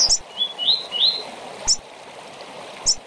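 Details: Double-collared seedeater short song for singing tournaments: three quick rising whistled notes followed by sharp high chips, with faint steady water-like noise.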